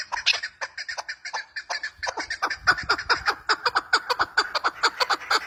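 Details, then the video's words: Female chukar partridge giving a rapid run of harsh clucking notes, roughly two per second, uneven at first and then steadier and louder; faint low background noise. "FEMALE CHAKOR OF BEST SOUND FE MALE ZARK WAAZ-FE MALE ZARK VOICE- FE MALE CHAKOR VOICE"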